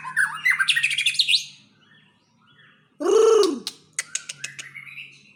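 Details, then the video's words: White-rumped shama of the Aceh type in a bongkar isian display, the full repertoire of fill-in song: a fast run of twittering, sliding whistled notes, a pause, then a loud descending harsh note and sharp clicks over a faint steady low hum. "Murai Aceh # Bongkar Isian"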